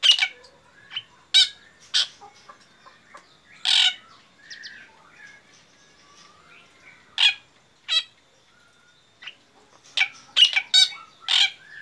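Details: Active morning song from a black drongo: scattered high, sharp chips and harsh bursts at irregular intervals over a quiet background, with a faint thin twittering between them.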